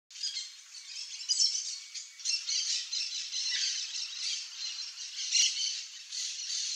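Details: A pair of chestnut-eared aracaris visiting riparian forest in Central Brazil in search of wild fruit; high, thin squeaky calls repeat steadily throughout, bright and hissy in tone, with no low sounds.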